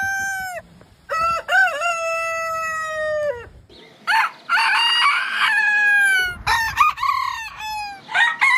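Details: Rooster crowing in a series of loud, drawn-out harmonic crows, each opening with short rising notes and then holding a long, slightly falling tone; several crows follow one another with brief gaps.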